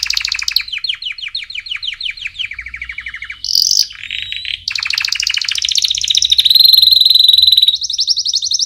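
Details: Domestic canary song used to train chicks: long run of rapid buzzy trills near the top of the range, each phrase stepping to a new pitch, with a brief sharp whistled burst midway and bright rolling trills to the end.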